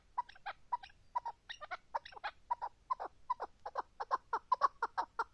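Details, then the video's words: Chukar calls beginning as spaced, uneven clucks and paired notes, then building into a quicker, louder rattling series toward the end. "partridge keklik sesi"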